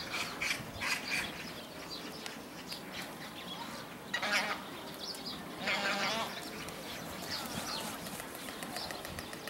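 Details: Red-crowned crane during courtship dance behaviour, giving loud, harsh, honking calls rich in overtones in two bursts, one near four seconds and a longer one near six seconds, over a busy background of other bird chatter.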